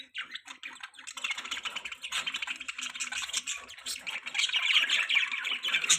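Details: Dense, continuous chatter from pet budgies, a buzzy mass of fast overlapping chirps that grows louder toward the end.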